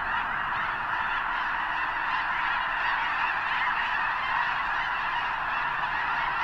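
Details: A vast flock of snow geese gathered at the eastern end of Potholes Reservoir before flying north to breed; thick chorus of yelping honks, hundreds of voices overlapping into a constant din with rapid irregular accents.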